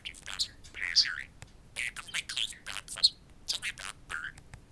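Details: Two pet budgerigars, caged indoors, talk to a mirror: rapid scratchy chatter with mimicked speech-like syllables, soft warbles and sharp chirps in short bursts, with quiet gaps between them.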